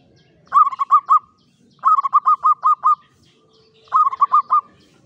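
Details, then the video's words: Local Javanese zebra dove, kept in a classic Mataraman cage, gives clear klowongan song: three bursts of rapid, rolling coos of about five, six and five notes, separated by short silences. "SUARA PERKUTUT JAWA KLOWONGAN"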